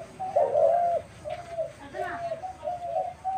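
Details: Dove recorded on March 28, 2024: one strong, drawn-out coo is followed by softer, wavering, lower-volume coo notes against a muffled background.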